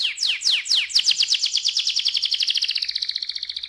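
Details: Singing canary, ngerol style, played to stimulate other canaries: three slow downward sweeps lead into a long accelerating rolled trill that flattens into a steady high buzz.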